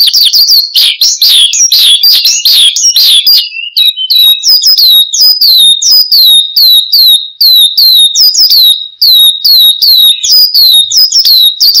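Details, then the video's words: Branjangan (Horsfield's bushlark) song used to lure and train cage birds: a jumbled high twitter at first, giving way to a long run of repeated sharp, downslurred whistled notes several per second. "Kicau Burung BRANJANGAN Gacor, Untuk Pancingan Dan Masteran"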